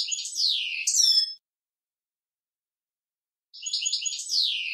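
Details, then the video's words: Male European goldfinch song meant to teach young birds: liquid twittering with steeply falling slurred whistles, a two-second silence, then another run of bright twitters and downslurs. "european goldfinch male singing to indoctrinate young goldfinch"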